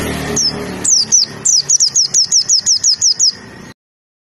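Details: White-eye masteran recording: a few scattered high chips, then a rapid tembakan run of about ten falling notes before an abrupt silence.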